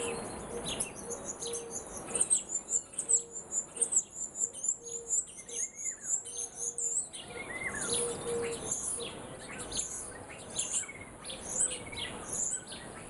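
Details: Birds singing in the morning: several overlapping chirps and twitters, with a steady high hiss of insects and a repeated low tone in the background.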